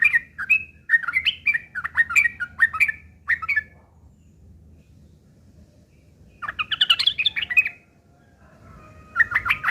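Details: Sooty-headed bulbul fighting song meant to lure other birds into answering. Spaced, clipped warbling notes open the recording, then a long silence, then a dense, harsh chattering burst and a final brief phrase.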